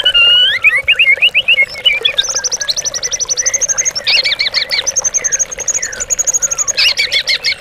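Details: White-rumped shama song used as a lure recording to provoke captive birds into singing and to train them for contests. Rapid, varied phrases of sweet whistles, buzzy trills and repeated high chattering notes follow one another without pause over a faint steady low hum.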